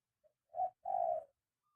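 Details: One coo phrase from a spotted dove trained to call on the ground: a tiny soft pip, a short rounded note, then a longer steady coo.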